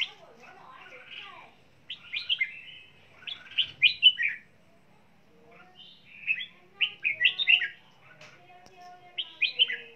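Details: Red-whiskered bulbul kept as a pet songbird, singing while flapping its wings: three bursts of lively, slurred whistled phrases, each rising and falling quickly, separated by brief quiet gaps.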